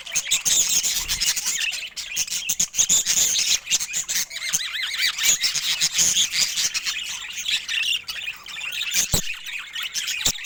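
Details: Continuous budgerigar warbling, dense and scratchy, with rapid chirps and harsh squawks layered over each other and a couple of sharp clicks.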